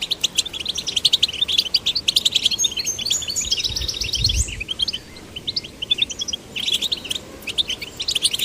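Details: Goldfinch chicks of both sexes urged into song; rapid high chattering twitters, a short buzzy rising trill midway, a brief lull, then a renewed burst of quick chirps, with a low rumble near the middle.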